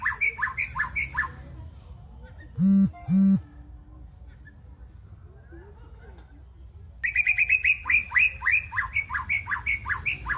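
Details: Young wild-caught white-rumped shama: series of harsh, rasping notes repeated about twice a second, two loud low buzzy bursts near the middle, a quiet gap, then a faster run of scratchy repeated notes.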